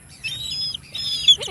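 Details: An eagle that came in after hearing a call answers it with a run of thin, high whistled notes, ending in a brief harsher call that drops in pitch.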